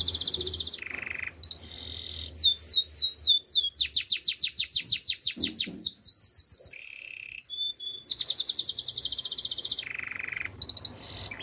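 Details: Spanish Timbrado canary song for training: fast trills of repeated sweeping notes, a low steady buzz near mid pitch, bursts of rapid high rattles, pauses between phrases, quiet background.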